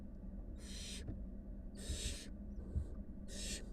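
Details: Wild barn owl nestlings with their mother, five young at the nest; three rasping, breathy hisses spaced about a second apart against a low background rumble.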